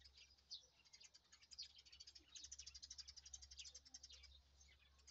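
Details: Morning rice field with birds chirping: a flock's quick, high twitters and tweets run together in a busy, unbroken chatter, some notes sliding downward, over a faint low hum.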